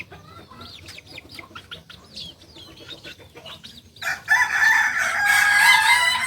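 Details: High, twittering chirps from small birds come first. About four seconds in, a Kukuak Balenggek cock from Solok bursts into a loud, sustained, harmonic-rich crow that is still going as the recording ends.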